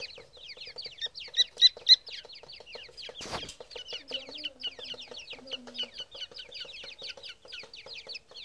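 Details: Grey francolin chicks giving rapid, thin, high peeping chirps. Each note slides sharply downward, about four per second, in a steady stream. A brief loud click sounds midway and a faint low tone runs underneath.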